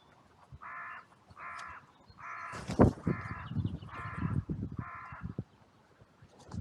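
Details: Crows in a cemetery on a sunny, blue-sky day, trail camera recording, with others rushing in and calling loudly after two crows fought briefly; six harsh, rasping caws in a steady series, with thumping and rustling noise underneath.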